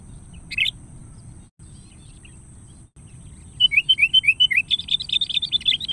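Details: Sooty-headed bulbul calling a rival, as used for luring: one lone sharp chirp, a pause, then a quick tumbling string of clear downslurred chirps that grows denser and louder toward the end, over a faint steady high hiss.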